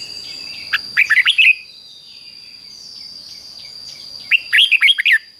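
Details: Two matching phrases from a caged Red-whiskered Bulbul singing the doubled Thai style 'fik-jik-fok', used to teach chicks: each a tight cluster of sharp whistled notes, separated by about three seconds of near silence and a steady tone.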